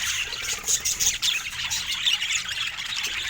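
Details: Short burst of budgerigar chatter from rare colour-mutation birds: shrill squeaky notes and harsh squawks tumble rapidly over a steady bed of high warbling from several birds together.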